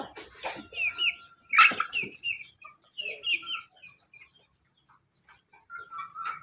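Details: A laughing chicken (ayam ketawa) crows loudly. A sharp harsh burst is followed by a string of short chattering notes, with a sustained whistled tone from another bird and quiet gaps between.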